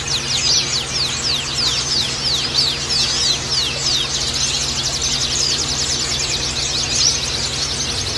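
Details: Male Oriental white-eyes in group cages, recorded as a therapy track for other caged males: a dense, fast run of high, thin, downslurred chirps and twitters, unbroken throughout, with a constant low electrical hum beneath.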